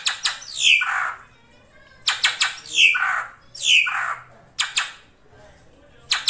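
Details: Ashy drongo giving harsh, descending squawks, each opened by sharp clicking ticks, repeated roughly once a second in three runs.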